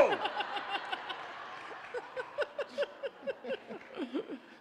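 Human laughter in quick rhythmic bursts, about three per second, with murmured speech at the start and no animal sound.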